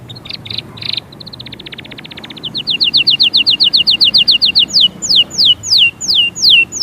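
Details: European goldfinch song: a few short bursts, then a soft rapid trill building into loud, regularly repeated falling notes that slow into longer spaced whistles.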